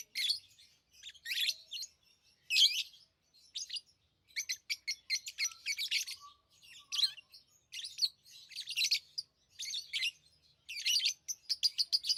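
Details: Tame lovebirds chatter almost without pause: rapid, shrill, scratchy chirps in clustered bursts. A few brief, thin whistled notes appear partway through.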